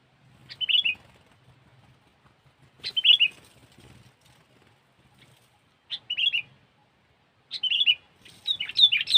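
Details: Sooty-headed bulbul song from a trapping lure: about five bubbly whistled phrases spaced roughly every two to three seconds. The last ones are busier and overlapping, and there is a soft low background murmur.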